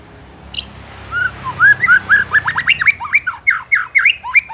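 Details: White-rumped shama song aimed at provoking rival shamas: a rising run of loud, rapid whistled notes, each sharply slurred, building into a steady chattering sequence.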